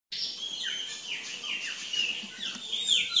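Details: Curl-crested jay, also called gralha-do-campo, free in the wild in Brazil: a quick series of sharp, downward-sliding high notes, repeated roughly every half second, with light background hiss.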